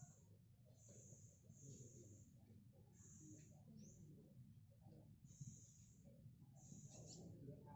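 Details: Tame, speckled black sunbird actively practising its song: thin, high sustained buzzy trills in short bursts roughly every second, separated by brief pauses, over steady low background rumble.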